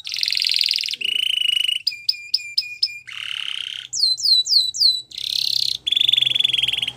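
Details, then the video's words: Varied canary song meant for training young birds. Quick successive phrases move between rolling trills, clipped repeated notes, looping curved whistles and a bright high trill, with little pause between them. "Canary Singing In The Wild"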